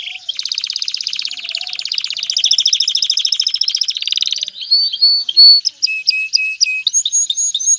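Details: Male canary singing to ready a female for mating and nest building: a long fast rolling trill for four seconds, then a sequence of sharp looping whistles and clipped high notes.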